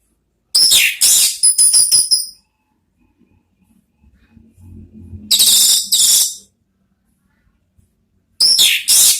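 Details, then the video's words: Orange-headed thrush song for training kept birds: bursts of very high, chattering trilled notes with a fast rattling section, separated by pauses with faint low background noise. "Siulan ANIS MERAH ampuh memancing BUNYI NGEPLONG ¦TERAPI PANCINGAN ¦ KICAUAN NGERIWIK"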